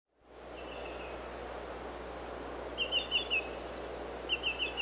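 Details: Greater yellowlegs calling: a faint run of clear, high, slightly falling whistled notes, then two louder bursts of four quick descending tew notes, over a steady background hiss.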